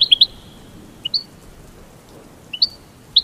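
American goldfinch giving bright, high chips and twitters in quick clusters of two or three notes, about once a second, over a faint quiet background.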